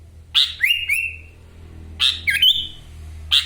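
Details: Sooty-headed bulbul, a kept bird in Wonosalam, East Java, delivering forceful 'ngekek'-filled song: sharp upward flicks into long level whistles, repeated after a pause, a clipped note closing.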